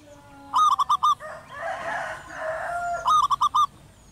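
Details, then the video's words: Local zebra dove calling from a house roof in the wild, a 'crystal voice' singer: two bursts of four quick, ringing coos, each about half a second long, separated by a stretch of rushing background noise. "perkutut lokal suara kristal manggung gacor di atas atap"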